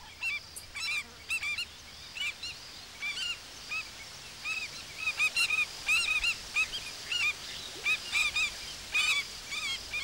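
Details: Alarm calls of African skimmers defending days-old chicks from a monitor lizard early in the season: repeated harsh, barking yelps in short groups, several birds calling over one another, with a steady high background hiss.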